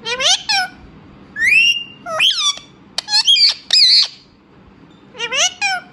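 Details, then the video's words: Indian ringneck parrot kept as a pet, talking in short raspy, voice-like phrases with rising and falling harmonic sweeps, grouped in four or five bursts separated by brief pauses. "Cute talking Indian ringneck parrot"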